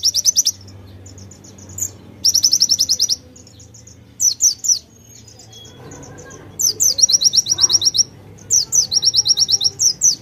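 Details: Pleci, a white-eye, singing rapidly with borrowed konin phrases: bright, high, rattling trills repeated in short bursts with brief silences between them. A quiet low hum runs underneath.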